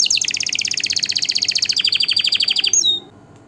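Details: Canary singing a fast, rhythmic rolling trill of rapidly repeated high notes that slowly descends, then breaks into a brief high whistle and stops.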